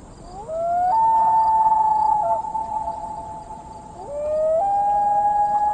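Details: Response wail from the second Common Loon of a pair, saying I'm over here, at a lake after dark; two long, mournful tones, each sliding up then held steady, the second starting near four seconds.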